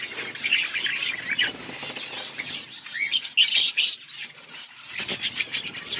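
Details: Budgerigars chirping in an outdoor colony, continuous soft chatter punctuated by loud bursts of sharp chirping from a group of birds.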